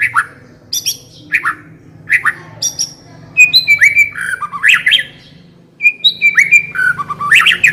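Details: White-rumped shama lure recording meant to get a shama singing: harsh down-slurred squawks at intervals, then bursts of rich whistled and chattering phrases, over a steady low electrical hum.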